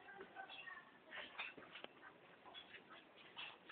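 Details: Hill myna imitating human speech, copying street vendors' cries such as selling tape and 'cari uang perak' that it hears daily passing the house; a run of raspy, voice-like syllables with speech-like tones, fairly quiet.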